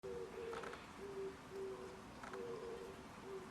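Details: Pigeon calling on 17 April 2021: soft, low, hooting coos, sometimes doubled, repeated about once a second against a steady hiss of background noise.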